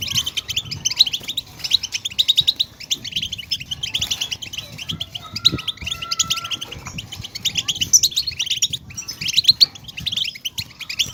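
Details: Caged goldfinch stimulation recording: European goldfinch song pours out as continuous high twittering with liquid trills and sharp squeaky notes; a thin steady whistle-like tone sounds for about a second midway.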